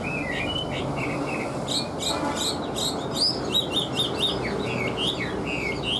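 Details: Chinese hwamei kept as a cage bird, singing a lively run of short whistled and slurred notes, repeated and varied in quick succession, with a constant low hum beneath.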